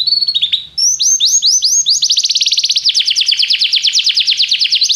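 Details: Singing canary pouring out loud, rapid repeated notes: rising-and-falling whistled sweeps that speed up into a long, fast trill, delivered without pause.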